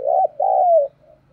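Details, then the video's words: Decoy spotted dove cooing to provoke wild doves into calling: one low, mellow phrase of two rounded coo notes followed by a longer, falling drawn-out coo, in a quiet setting. "Chim Cu Mồi/ cu gay kich boi nhanh noi gù"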